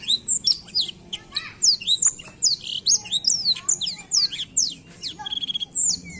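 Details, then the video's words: Lively rolling Black-throated canary song for stirring young birds to sing: a rapid stream of high slurred and sweeping notes, with a quick buzzy trill near the end. "Blackthroat gacor ngerol ampuh pancing emosi blackthroat muda"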